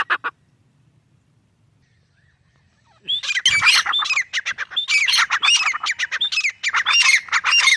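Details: Grey francolin, known locally as teetar, silent for three seconds, then a burst of loud, harsh, squawking notes repeated rapidly and unevenly until the end.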